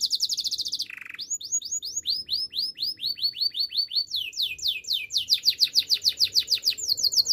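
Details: Domestic canary singing, kept for song training: a rapid run of descending whistled notes, then a low buzzy burst, then long series of swept notes repeated several times a second, ending in fast rolling trills.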